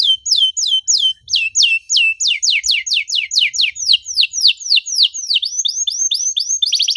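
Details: Canary in full 'gacor' song of rapid, tightly packed 'cuit cuit' notes, meant as a lure to set silent canaries singing: steep descending whistled chirps repeated about three per second, ending in a buzzy fast trill.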